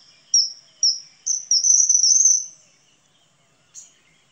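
Common Kingfisher giving shrill, high whistles: three short piercing notes, then a longer trilled run, with one last thin note after a pause.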